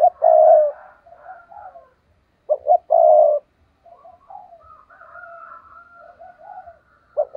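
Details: Caged decoy spotted dove, 'giọng thổ' style, used to lure wild birds: a stuttered coo phrase, a pause of soft burbling, the phrase repeated, with a faint higher whistle from another bird behind.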